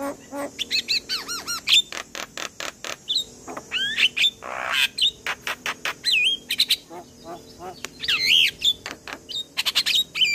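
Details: Javan myna recorded in the morning as a training lure for young mynas: a busy, varied song of rising and falling whistled slurs, sharp clicks and harsh buzzy bursts, packed into rapid phrases.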